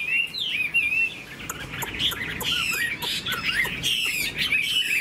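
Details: Caged Chinese hwamei with fanned tail, playing its wings while singing: loud, varied warbled phrases of rising and falling whistles and fast slurred notes, with short sharp clicks scattered through.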